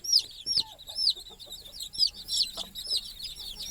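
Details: Young chickens at night, climbing to sleep beside their mother hen on a stick over the nest; clear, high, falling peeps repeat roughly every half second, with faint low sounds beneath.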